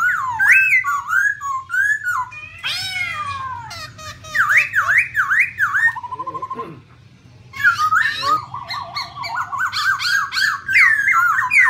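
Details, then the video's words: Female black laughingthrush with a male, song meant to stimulate other birds to sing: varied whistled phrases with repeated up-down swoops, a short flat buzzy trill, a brief gap, then long warbling rising and falling whistles. "Khướu mun mái Ro Ro kèm trống thúc kích bổi,mồi căng lửa"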